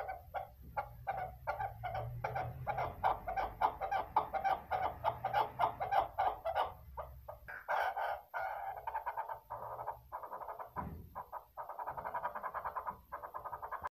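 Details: A female chukar partridge gives a fast run of harsh, clucking chuck notes, about three a second, that turn into a denser, rougher chatter near the end.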